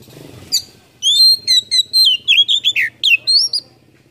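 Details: Oriental magpie-robin lure song, a filled-in full performance meant to make quiet birds sing; after faint low murmur, a fast run of sharp high whistles and sweeping slurred notes, about a dozen bursts in three seconds.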